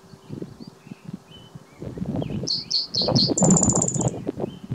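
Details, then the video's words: A single spotted towhee song from Hop Trailhead, Zion National Park, 12 May 2017: four bright chipping notes leading into a rapid, high, buzzy trill, over low rustling and rumbling background noise. "Spotted Towhee singing"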